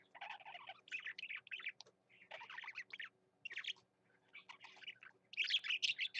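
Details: Pet male budgerigar singing energetically, a chattering warble of rapid buzzy and chirping notes in bursts with short pauses, ending in a louder, denser run of squeaky chirps.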